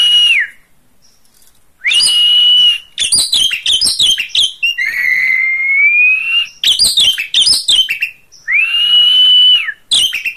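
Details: Oriental magpie-robin, a kept songbird in full song: long pure whistles holding level then falling, alternating with dense bursts of rapid scratchy, chattering notes, about three whistled phrases in ten seconds.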